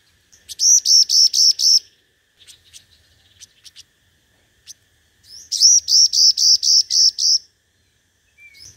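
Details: Five-coloured sunbird singing competitively as a lure bird: two fast runs of about seven high, clear chirped notes each, separated by a few soft clicks.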